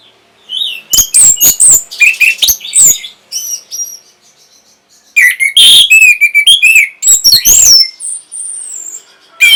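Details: Song of an orange-headed thrush meant to stir breeding arousal and draw a reply: loud jumbled whistles, squeaks and rapid chips in two dense bursts separated by a quieter stretch of thin notes.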